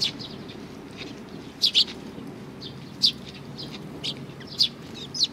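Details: A group of sparrows at Tenmangu shrine, recorded 22 May 2019, giving brief high chirps, a quick double chirp then single notes roughly every one to one and a half seconds, with softer calls between and a low background hum.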